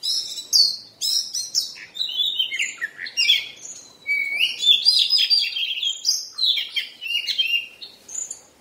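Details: Oriental magpie-robin (kacer) in moult, singing a rich, varied song of whistled and chattering phrases high in pitch, with short pauses between bursts.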